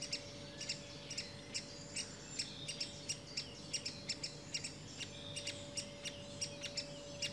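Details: Great spotted woodpecker, an adult with young, giving sharp, short, high clicking notes in an irregular series, about two or three per second at times, over a steady low hum.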